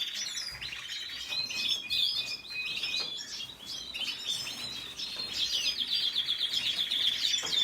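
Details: Chattering red siskin song, a string of quick, tinkling notes and short buzzes that grows louder and denser toward the end.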